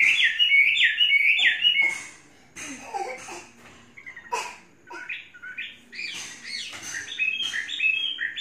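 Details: Caged Chinese hwamei, three seasons tame, sings loud looping whistles, then a scratchy, varied stretch of short notes, ending in quick bright repeated phrases.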